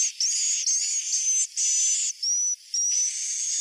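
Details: Swiftlet roosting call used to lure swiftlets: loud, hissy, high buzzing notes about half a second long, each with a thin steady whistle inside, repeated with short gaps.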